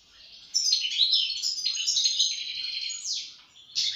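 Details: European goldfinch in continuous song: a rapid, liquid stream of high twittering notes and trills lasting several seconds, closing with a sharp chirped burst.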